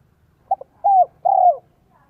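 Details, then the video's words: Spotted dove cooing as a decoy to attract wild doves, 'giọng son' style: two quick soft pips followed by two longer, slightly falling hollow coos. "CHIM CU GÁY GIỌNG SON 1 CỐT LỠ KÍCH BỔI NHANH NỔI HIỆU QUẢ NHẤT"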